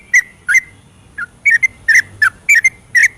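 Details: Yellow-vented bulbul giving its 'ropelan' song at night, a lure for birds that will not sing: a few separate bubbly whistles, then quick paired notes with short gaps between them.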